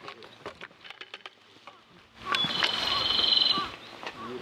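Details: At a mountain pass, a Japanese robin gives one song after scattered faint clicks and soft ticks: a sharp high whistle leading into a rapid, level, rattling trill lasting about a second.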